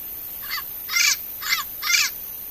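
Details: Four coarse, grating squawks from a wild turquoise-fronted parrot, evenly spaced about half a second apart, loud against soft steady background noise.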